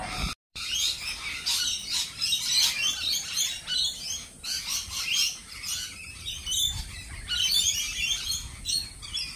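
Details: Lorikeets screeching in a dense flock, with shrill, buzzy high-pitched chatter coming in overlapping bursts throughout after a brief silent gap near the start.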